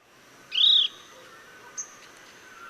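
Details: A chestnut-bellied nuthatch in Sattal, Uttarakhand, India, gives one high, thin note that arches slightly before falling, followed by a faint soft tick over a steady high insect drone.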